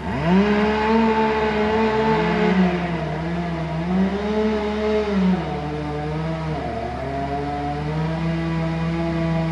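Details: A loud engine hums steadily, its pitch sliding up and down as it revs, over a constant low drone, with no animal calls.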